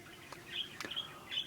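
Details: A pet budgerigar, recorded on 27 March 2024 during an indoor portrait-painting session, gives short, high chirps that rise and fall, with a couple of sharp clicks between them.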